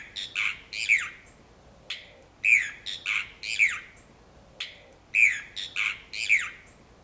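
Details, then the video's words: A single brown cacholote gives loud, harsh squawking notes in clusters of three or four, repeated about every two and a half seconds, at Reserva El Tabaquillo, Merlo, San Luis, on 22 August 2012. "Cacholote castaño (Pseudoseisura lophotes): VOZ"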